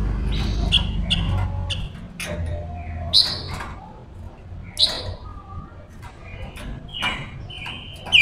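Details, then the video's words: Female silver-eared mesia used as a lure bird, singing to call wild males: varied short chirps and sharp whistled notes in loose bursts, over low rumbling background noise. "Ngũ sắc hót mồi gọi bổi"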